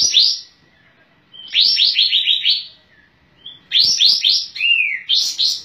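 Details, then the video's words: Sooty-headed bulbul singing vigorously with tail spread: three bursts of bubbly, quick descending notes, each phrase about a second long, separated by short pauses, over a faint steady high hum. "Masteran Kapas Tembak"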